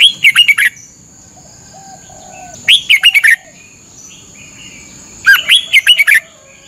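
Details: A Red-whiskered Bulbul, during a 30-minute morning training session, gives three short bursts of four or five bright, bubbly whistled notes, about every two and a half seconds, over a steady thin high whine.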